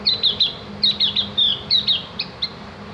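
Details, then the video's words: Javan grey-throated white-eye (opior jawa, cak gentong), recorded as master audio to prompt birds into ngriwik chattering. Rapid, high, sharp chirps fall slightly in pitch, delivered in short clusters of two or three with brief pauses. "masteran burung opior jawa atau cak gentong agar ikut ngriwik dan bunyi"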